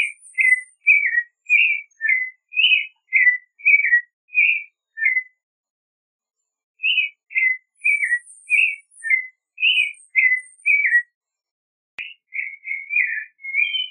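Clay-colored Thrush singing rich, whistled phrases of short warbled notes, about two per second, in two long runs with a pause between.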